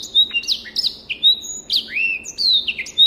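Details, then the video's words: Tutor recording of a Black-throated canary from a private collection: lively, unbroken warbling of high whistles, slurred downward notes and a long rising glide, delivered rapidly over a low steady hiss. "SOUND of BIRD BLACKTHROAT || FINCH SINGING"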